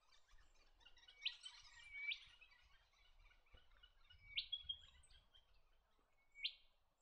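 White-throated Gerygone giving four thin, high, sharply swept chirps at irregular intervals of one to two seconds, over soft chatter from other birds.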